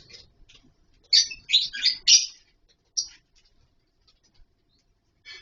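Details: Captive lovebirds calling in a colony with wooden nest boxes and mud bowls: four quick rasping, shrill chirps in a row, a single later chirp, then near-silence and a faint final call.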